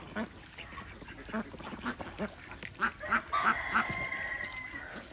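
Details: Farm ducks swimming in a village pond in India give a string of hoarse quacks that grows louder and denser midway, with a rooster crowing through the second half.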